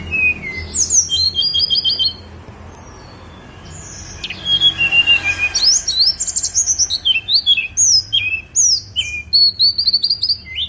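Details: Snowy-browed flycatcher singing on Mount Songgo Langit: high, thin whistled notes and quick chirpy trills, short phrases in bursts with a quiet gap midway, over low steady background hum.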